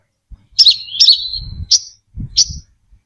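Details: Brown-throated sunbird song used as a bird-catching lure: high, sharp chirps with a trailing buzzy slur, then two short separate notes, with faint low thumps in the background.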